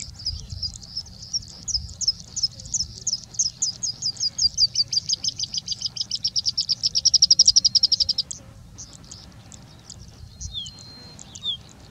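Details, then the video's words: Singing bushlark in India mimicking other birds such as Indian Robin, Pied Bushchat, Plain Prinia and Common Woodshrike. High, rapid trilled song: dense chattering notes speed into a fast, loud, even rattle, then break off into a few scattered chirps and a thin whistle. Low rumble beneath. "Singing Bushlark singing and mimicking"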